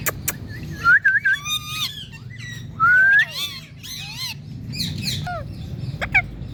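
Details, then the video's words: Indian ringneck parakeet talking, opening with a few clean whistled notes, then a long rising whistle, followed by warbling harmonic chatter and a brief high squeak near the end, over faint hum. "Raw Talking Parrot super cute Ringneck"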